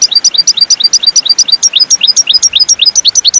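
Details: European goldfinch (Carduelis carduelis) singing a fast, tinkling run of high paired notes, about eight a second, some sliding upward, with no other sounds.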